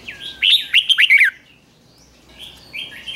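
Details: Red-whiskered bulbul kept caged, trained to sing in the morning: one loud, quick phrase of four or five slurred whistled notes falling in pitch, followed by fainter thin whistles.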